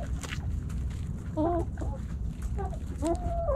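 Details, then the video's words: Backyard chickens snacking at Thanksgiving, hens and roosters together; a few quick curving clucks at intervals of about a second and a half stand out over a dense low rumble. "Backyard Chickens Thanksgiving Snacking Sounds Noises Hens Clucking Roosters Crowing!"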